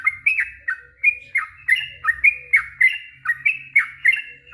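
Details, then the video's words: Rapid bubbling 'ropel panjang' song of a yellow-vented bulbul, used as a lure for a reply: bright slurred chirps about three per second in a continuous stream, over a faint low background hum. "Suara trucuk ROPEL PANJANG"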